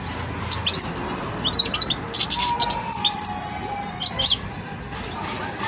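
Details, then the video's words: A young European goldfinch, Wedani type, practising song during its learning stage, a run of sharp, tinkling high chirps and short trills delivered in quick groups, with a soft low tone and steady background hum. "جان مقنين ويداني في مرحلة فرز التغريد"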